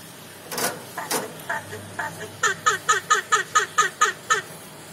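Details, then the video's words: Caged starling that likes bobbing its head, giving a series of harsh, squeaky notes, then a steady run of about eleven clipped chattering notes roughly every quarter second, with a low hum beneath. "BURUNG JALAK SUKA MANGGUT MANGGUT"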